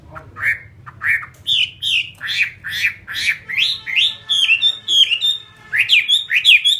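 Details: Fighting Chinese hwamei kept in captivity, delivering strong whistled phrases one after another, each a short rising or falling slur, roughly two per second, growing faster and higher toward the end over a low background hum.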